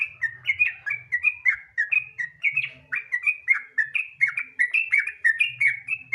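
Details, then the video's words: Sooty-headed bulbul delivering ropel-style gacor song to lure other bulbuls into singing: a hurried chain of sweet, slurred whistles, repeated roughly one and a half per second, some notes sliding sharply down, with faint low rumble. "Pancingan Trucukan Gacor Ropel Santai Sangat Ampuh Bikin Trucukan Lain Cepat Bunyi Gacor Ropel"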